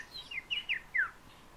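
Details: Fieldfare giving a brief chattering phrase: five quick squeaky notes, each slurring downward, spaced about a fifth of a second apart, in a quiet background.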